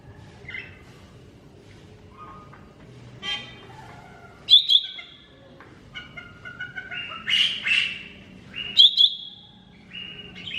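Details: Lesser green leafbird in a busy song mixing soft twitters, rasping bursts, crisp doubled chirps and level whistles, building in density toward the end.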